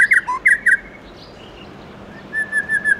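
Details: A White-rumped shama sings its wild-type forest song in the morning: loud, clear whistled phrases with rapid rich notes, a pause, then a run of four quick repeated whistles.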